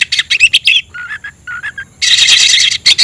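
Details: Caged oriental magpie-robin singing to call a rival to fight: dense bursts of sharp chirps, a run of lower repeated notes near the middle, then a loud harsh rapid burst to the end.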